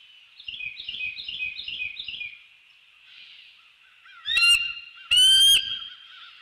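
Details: Bald eagle pair at a treetop nest in The Hamlet, northeast Florida, greeting and mating in the early morning of 15 December 2019: a fast high piping chatter, then two loud shrill squealing calls.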